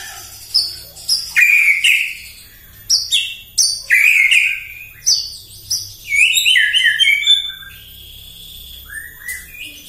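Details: Provoking morning song of a white-rumped shama: short loud phrases of clear whistles and high sharp chirps, some notes rising in steps, bursts spaced about half a second to a second apart with quieter gaps.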